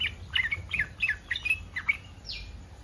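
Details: Yellow-vented bulbul in breeding condition, its excited call meant to provoke other bulbuls to answer: a rapid run of bubbly, warbling notes in quick bursts, ending with a brief falling whistle.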